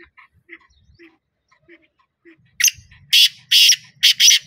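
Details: Soft faint ticks lead into the black francolin's loud call, a string of five rasping, buzzy notes delivered quickly near the end.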